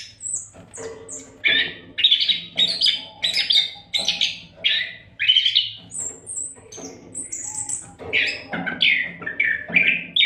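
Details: Oriental magpie-robin (kacer) delivering continuous training song for other cage songbirds; fast run of bright chirped and whistled notes, many short high phrases repeated about every half second, with low background hum throughout.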